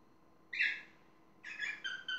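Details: Parrot voicing a short raspy squawk, then after a pause a longer rough call that breaks into several falling notes.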